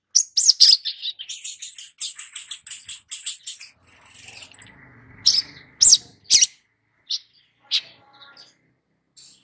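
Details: [3, 'likely', 'song', 'Long-billed spiderhunter song used as a lure to get a young bird singing fast and often. Dense bursts of very high, sharp chirps come first, then louder separate chips at irregular gaps, with faint low rustling in the middle.']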